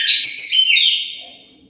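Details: Kacer, the Oriental magpie-robin, sings to lure other birds into replying: a loud, shrill, buzzy whistled burst that steps down in pitch, then fades out within about a second.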